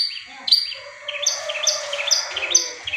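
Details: Long-tailed shrike (cendet) giving a 'tembakan tengkek buto' burst, played to prompt stalled caged birds to sing: high, sharp repeated notes with short descending slurs, over a soft lower twittering background.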